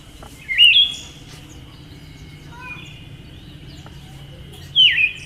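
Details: A female Siberian thrush gives two bright, twisting call notes at the start and end, about four seconds apart. A faint steady high tone and a few soft chirps fill the gap between them.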